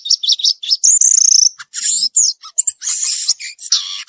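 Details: Wild violaceous euphonia in full song, mixing quick high chirps, a rapid trilled run, and harsh buzzy bursts in a varied, jumbled sequence.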